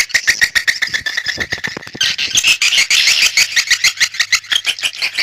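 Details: Swiftlet lure call: quick staccato ticking chirps that merge into a denser, rasping chatter midway, then break into distinct pulses again.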